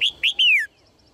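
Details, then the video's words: A female red-whiskered bulbul calls to prompt males into song, giving two quick whistled chirps and a sweeping, falling whistle lasting about a quarter second, then silence. "นกหัวจุก birds - เสียงนกตัวเมียส่งเสียงเจื้อยแจ้วจูงใจนกตัวผู้ให้ร้องเพลงอย่างมีความสุข"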